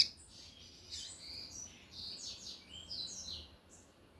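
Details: Lined seedeater, the tui-tui collared seedeater type, singing loudly: a soft run of high, chirpy, slurred notes with quick up-and-down warbles, faint against a low background hum.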